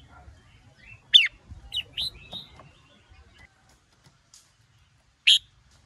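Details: Red-whiskered bulbul, a male excited by a female, singing hót sổ bọng, hót ché. A loud sharp note opens a short cluster of quick chirps, then quiet, then one more piercing note.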